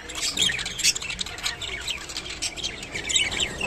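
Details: Rainbow budgerigar eating water spinach (kolmi shak), with continuous high warbling chatter of quick twittering chirps and squeaks running throughout without pause.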